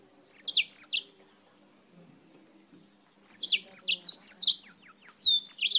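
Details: Yellow-fronted canary from Spain singing abundantly, a short burst of sharp high notes, a pause, then a longer rapid stream of twittering chirps and falling whistles.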